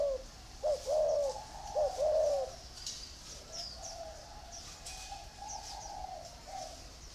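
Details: Spotted doves kept in a round bamboo cage and an iron cage; two loud, close coo phrases with a wavering, hollow tone, then fainter coos repeating in the background.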